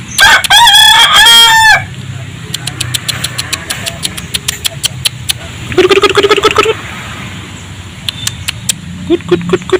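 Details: A rooster gives a loud, harsh, wavering crow, then scattered clucks and a second lower, rougher burst midway, with faint clicking around, as a person calls to the chickens; Chicken (Gallus gallus domesticus), crow.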